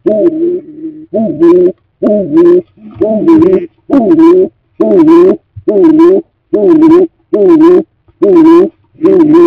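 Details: A stock dove (Columba oenas) at a freshly cleaned nest box as the new breeding season approaches gives low, hollow, slightly rising coos, about once a second, in a quiet close setting.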